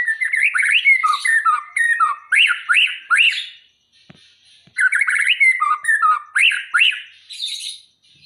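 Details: White-rumped shama from Aceh, prepared for a contest, pours out two long bursts of fast, looping whistled phrases and chatters, broken by a brief pause.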